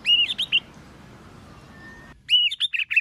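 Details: White-rumped shama in competition singing: short clusters of high whistled notes at the start and end, separated by a quiet stretch holding one thin steady tone.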